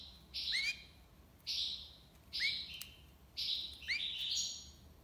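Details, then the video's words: European goldfinch in Algiers, Algeria, performing tiwawati song: four buzzy high phrases, each ending in a rising slurred note, spaced roughly a second apart. "مقنين تيواوطي ليبساد الله يبارك / chardonneret tiwawati"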